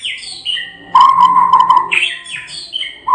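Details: White-rumped shama, Medan type and a national champion, in its rolling ngerol song: sweeping whistles alternate with a buzzy mid-pitched rattle of rapid notes, then bright upslurred and downslurred whistled phrases.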